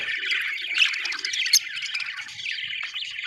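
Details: Budgerigars giving a steady, dense warbling chatter of scratchy chirps and short squawks, with brighter squeaks near the one- and one-and-a-half-second marks.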